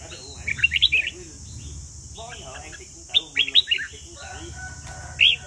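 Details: Red-whiskered bulbul from Vietnam singing at a competition: short bursts of bright, quick warbled notes in three clusters, separated by pauses, over a steady high hiss.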